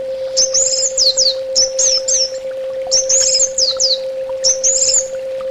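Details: Orange-headed thrush singing for a therapy recording. Short, complex phrases of sharply sliding high whistles repeat about every second and a half, with a steady hum behind them.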